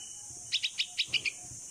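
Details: Hand-reared bulbul chick (pulangga), 16 days old, calls for its mother while practising flight outdoors: six high, sharp chirps delivered in quick, slightly uneven succession.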